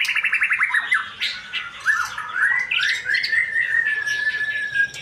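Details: Male white-rumped shama singing: a series of rapid descending notes, then a long sweeping whistled phrase with harsh overtones, over background noise.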